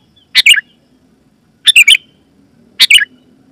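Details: Loud, clear Sooty-headed bulbul voice used to call wild and caged bulbuls into singing; three short bubbly phrases of quick descending chirped notes, spaced over a second apart, faint low hum behind.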